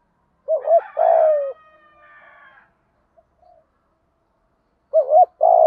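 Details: Spotted dove cooing, played to stimulate a newly caught bird in training: a short wavering coo and a longer falling coo, a pause, then the same pair begins again; a faint, higher drawn-out tonal sound follows the first phrase.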